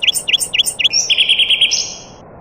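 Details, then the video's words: Nightingale among other birds: four rapid V-shaped whistles lead into a long, even buzzy trill, then a higher sustained note that fades away. Steady low noise fills the background. "طائر العندليب الحسنية وطيور أخرى Taghreed nightingale bird and other birds"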